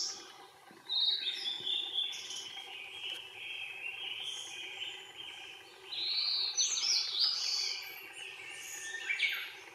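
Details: Blue-and-white flycatcher in Yokohama, 18 May 2019, sings high, clear warbled phrases in quick runs with short pauses, over faint background noise.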